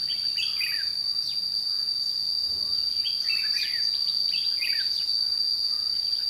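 Red-whiskered bulbul phrases: short, bright, warbling bursts of a few notes each, repeated irregularly, over a steady high insect drone.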